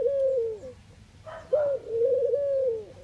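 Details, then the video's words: Eurasian collared dove in the Netherlands cooing: a soft, hollow, low coo, a brief pause, then a longer drawn-out note that swells and fades, with quiet room background. "Ringneckdove cooing, Collared call, dove sound"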